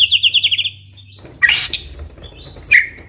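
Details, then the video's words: White-rumped shama singing to provoke other shamas; a quick trill of about ten evenly spaced notes, a pause, then two harsh scratchy calls. "MURAI BATU GACOR COCOK UNTUK MEMANCING MURAI SUPAYA RAJIN BUNYI AUTO NYAUT IKUTAN GACOR | SHAMA BIRD"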